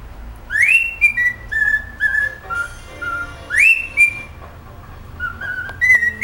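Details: A pet cockatiel practises its favourite song: upward-swooping whistles followed by descending stepped notes, the phrase repeated twice, ending with short rising whistles and a few soft clicks.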